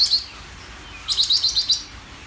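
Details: Greater green leafbird song opening with a brief high chip, then after a short pause a rapid burst of bright, buzzy high notes lasting under a second.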